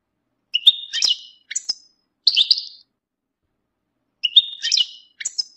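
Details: European goldfinch mating calls played to rouse males out of their moult silence: short bursts of bright, buzzy twittering notes, about three phrases in quick succession, a pause, then two more, with clean silence between.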